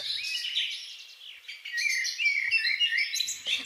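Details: Common linnet song recorded in a garden in spring or summer 2021: a fast, varied run of high twittering, chattering notes with brief nasal trills, continuous, with faint background noise.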